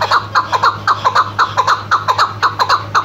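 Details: Female chukar partridge call used for hunting: loud, regular chuck notes, often paired, repeated about twice per second with a steady rhythm over a low background hum.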